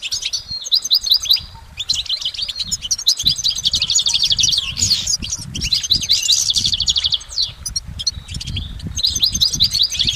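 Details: Extended goldfinch song in nature: long stretches of rapid, high twittering and trilled chirps with short pauses between bursts, rich and multi-layered, over faint low rumble.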